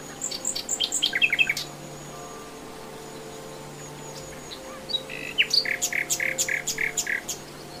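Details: Common nightingale song in the wild: a stuttering phrase of quick rising notes, a pause, then a second phrase of buzzy repeated notes climbing into sharp ticks; a faint low hum persists.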